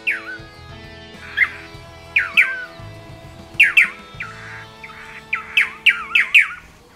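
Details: Blue Manakin (tangará-dançarino) from the Brazilian Atlantic Forest. Paired, swooping whistled notes that drop and then hook upward are repeated about every second, quickening toward the end. Gentle music plays beneath them.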